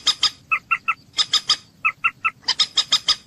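Common moorhen giving a quick run of sharp, clucking kek notes in pairs and triplets, about five per second, with a quiet background.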